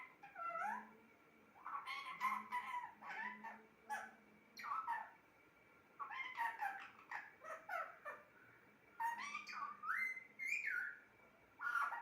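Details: Pet talking parrot producing a string of speech-like phrases, nasal and wavering, in bursts of one to two seconds separated by short pauses, with a faint low hum underneath.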